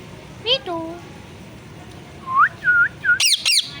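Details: Pet parrot imitating speech, said to say 'mithu' and 'sitaram'. A layered, voice-like descending phrase is followed by three whistled tonal syllables and then two harsh screeches.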